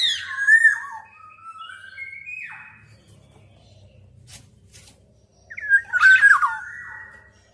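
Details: Black-naped oriole with mellow whistled notes stepping down in pitch, a quiet stretch with faint low rumble, then a louder, harsher slurred whistle.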